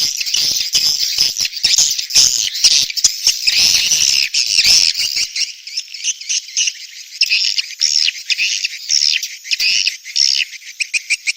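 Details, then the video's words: Swiftlet breeding-season call: busy, high, scratchy twittering with overlapping chirps, loud and crowded in the first half, then breaking into shorter separate chirping bursts. "SUARA WALET BirahiBeranak | the sound of swallow lust"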